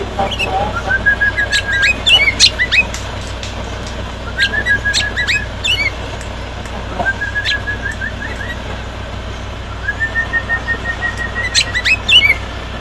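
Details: Loud song from a six-year-old sooty-headed bulbul: a phrase of rapid, evenly repeated whistled notes ending in a sharp upward flick, given four times about every three seconds, over a low constant hum.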